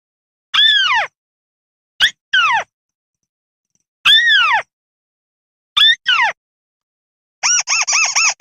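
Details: Crake lure recording from rice-field habitat: loud, clean squeaky notes arching down from high to lower pitch, given singly or in pairs with long pauses, ending in a fast run of short arched squeaks; no background sound.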